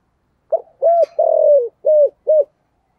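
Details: Spotted dove cooing in the 'giọng thổ' style, meant to call wild doves in to the perch: a single phrase of five low, husky notes, the middle one longest and sliding downward, ending abruptly.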